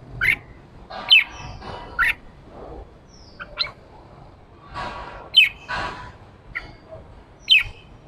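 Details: Red-whiskered bulbul in the harsh 'ché' style, played to rouse a newly caught bird to sing: about eight short sharp notes spread irregularly over eight seconds, some louder and some fainter, over faint background noise.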